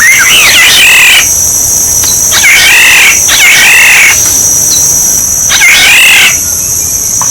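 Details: Used to lure birds, a Black-naped oriole sings rolling, fluty whistles in four short bursts separated by brief gaps, with a continuous high-pitched drone behind.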